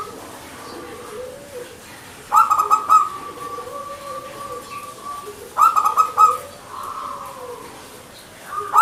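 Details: Local zebra dove (perkutut) singing in manggung style: bursts of quick, pulsed cooing notes on a steady tone, each phrase trailing into a held coo. Repeated about every three seconds, with a softer, lower, sliding coo underneath.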